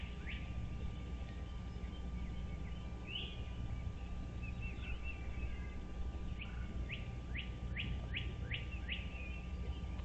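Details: Bald eagle at its nest on Dale Hollow Lake, Kentucky–Tennessee state line, morning of 17 April 2023, captured by a nest camera; faint scattered whistles, then a rapid run of six rising upslurred notes near the end, over heavy low hiss and hum.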